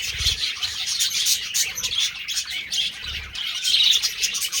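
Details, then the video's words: Budgerigars during mating, keeping up unbroken high chattering and squeaky chirps from several birds, with a few soft low thuds underneath. "Budgies parrot Mating"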